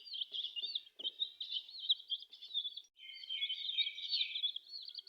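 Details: Colourful chickens' chicks cheeping together: a dense, continuous chorus of high, thin peeping notes overlapping in quick succession, with a few soft taps near the start.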